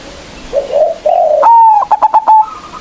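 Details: Local zebra dove lure to provoke rivals: quiet coos swell into a loud flat note, then five quick rhythmic pulses and a fading higher tail note.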